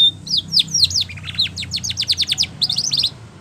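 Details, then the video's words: Canary of the Spanish Timbrado type singing a training song: upward-curving whistles followed by a fast, regular series of sharp falling chirps and a short final burst. "Sound Of Canaries / Spanish Timbrado song For Training"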